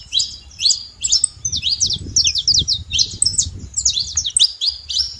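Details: Saffron finch, free-living in the wild, delivering a lively song of high, clipped chirps and short warbled phrases, grouped in quick bursts, over a steady low rumble.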